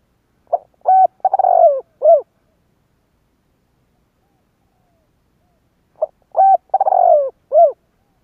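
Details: Spotted dove cooing in the 'giọng thổ' style to provoke other doves into calling: two identical phrases about five seconds apart, each a short note, a hollow coo, a rolling purr and a final rounded coo, with silence between.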